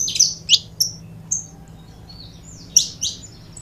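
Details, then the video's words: Scattered high chirps and brief piping whistles from a pair of saffron finches (canário da terra), with loud sharp notes at the start and a bright pair of notes near the end, over a quiet low hum. "Casal de Canário da Terra Bom Para Foguear!!!"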